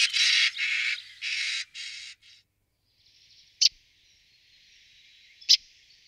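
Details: Common starling uttering four loud grating, rasping calls in quick succession. They are followed by a faint thin hiss and two sharp clicks in near silence.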